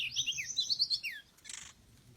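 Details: Lure recording of an oriental magpie-robin (kacer daput): a fast, warbled whistled phrase of looping rising and falling notes, a clear downslurred note, then a brief harsh buzzy burst.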